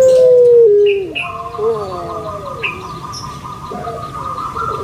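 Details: Kept puter pelung (Barbary dove) from Java, Indonesia, with a loud low coo: a steady hum that steps down in pitch over about a second, then fades, leaving thin tonal chirps from other caged birds.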